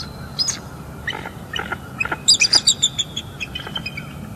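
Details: Bald eagles vocalizing at a northeast Florida nest, morning of 27 December 2021, around mating while incubating eggs: scattered thin squeaky notes building into a rapid run of bright, piercing chirps, then trailing off.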